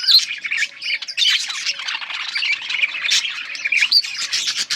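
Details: Chirping yellow budgies recorded August 18, 2024: steady flow of shrill squeaks, short whistles and gritty chatter from several birds at once.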